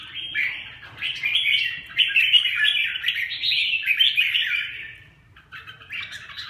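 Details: Huế-style red-whiskered bulbuls, 'bướm' and 'tê giác', fighting: a loud run of harsh, jumbled chirps and warbles fades out near the fifth second, then a short scratchy burst returns.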